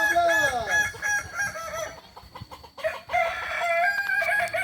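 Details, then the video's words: Kukuak Balenggek chicken at a crowing contest final, Ampang Kualo, Kota Solok, 8 September 2024. One bright descending crow opens the clip, followed by clicks and fainter overlapping crows from other birds. "Final latberan ayam kukuak balenggek"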